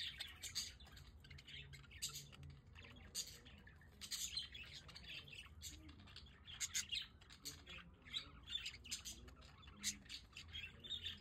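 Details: Pet budgerigars out on a balcony in The Hague during good weather produce a continuous, dense chatter of sharp chirps, squawks and warbling trills, with a faint low background hum.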